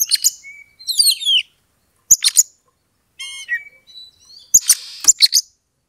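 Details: Provocative Oriental magpie-robin song used to goad an opponent into fighting. Bright twisting whistles and fast metallic chatters, then a short buzzy trill and a steady whistled note, closing with loud scratchy bursts.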